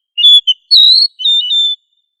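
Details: Oriental magpie-robin in lively, constant song, used as a model to train other magpie-robins to sing loudly; clear whistled phrases of short and drawn-out notes, some rising, all high-pitched, with brief gaps between phrases and no background sound.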